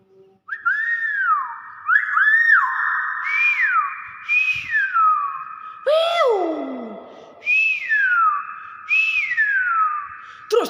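Common hill myna giving loud, clear whistles, each note swooping up then sliding down, repeated about every one and a half seconds in a steady series.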